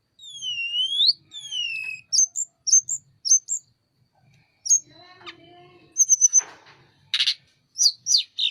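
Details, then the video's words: Spreading its wings, a Sunda robin sings two long, smoothly rising whistles, then short high chirps, a scratchy stretch, and harsh buzzy bursts mixed with sharp high notes. "Burung Tledekan gunung gacor buka sayap"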